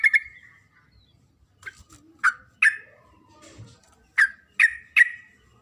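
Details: Female sooty-headed bulbul calling for a male, recorded for use as a lure: single sharp chirps with a falling tail, spaced irregularly, some in close pairs and threes, over a quiet background.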